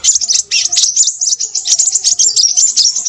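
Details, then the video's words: Sepah raja or Crimson sunbird in noisy, energetic song, a fast run of sharp, high-pitched twittering notes packed closely together, over faint low hum in the background. "burung sepahraja ribut"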